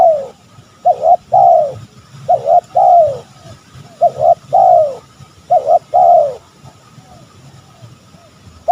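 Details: Spotted dove calling to lure rival males: a steady run of phrases, each a rapid paired coo followed by a long descending coo, repeated several times before a quiet stretch at the end.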